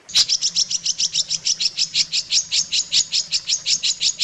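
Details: Long-tailed shrike song used to train other shrikes: regular, sharp high chips repeated about five times a second, steady throughout.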